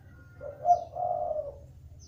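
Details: Spotted dove used as a lure to get other doves calling, giving a single low, breathy two-part coo, a short accented note then a longer mellow one, over a faint low hum.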